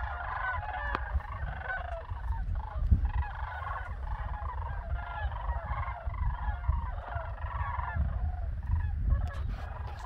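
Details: Overhead flock of Sandhill Cranes above a farm, 27 December 2022: softer, more distant rolling trumpet calls overlapping in a chorus, partly masked by strong low rumbling noise and occasional clicks.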